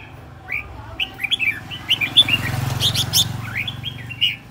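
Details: Red-whiskered bulbul decoy bird singing aggressively while spinning around; a lively run of short, bright whistled and warbled notes, some rising, delivered in quick bursts over a low rumbling background.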